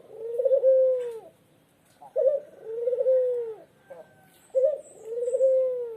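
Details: Tame, frequently calling puter dove from Lombok giving three deep, drawn-out coos about every two seconds. Each starts with a brief burbling note and then swells into a steady low hum.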